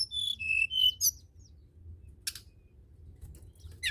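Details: Tledekan gunung, the blood-breasted flowerpecker, in lively song played to get reluctant tledekan birds singing: a few clear high whistled notes in quick succession, then scattered sharp ticks and a rising squeaky flourish.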